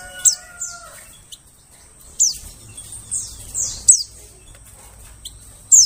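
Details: Lure recording of white-eye calls meant to attract forest birds: thin, high-pitched chirps dropping quickly in pitch, scattered irregularly with gaps, and a few softer whistled tones early on over a faint low hum.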